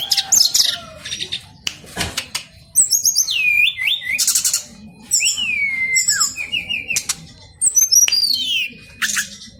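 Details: Brown-chested jungle flycatcher male singing in spaced phrases: loud downslurred whistles, stepped descending notes and short buzzy bursts separated by brief pauses, over faint low background noise.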